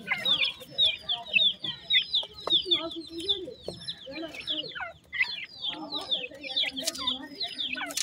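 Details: Painted francolin chicks in their first days peeping incessantly: shrill, short, descending notes about two per second from several birds, with soft lower sounds and occasional knocks.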